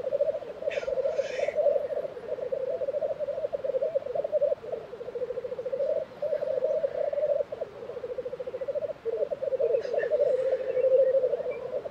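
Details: Steady low bubbling of black grouse at the April 2023 lek in Tiveden, Sweden, with short gaps and two brief hissing bursts, one near the start and one near ten seconds.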